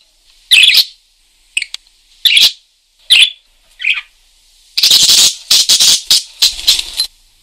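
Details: Energetic parakeet singing: a few separate high chirps, then a dense, harsh chattering burst of rapid notes near the end.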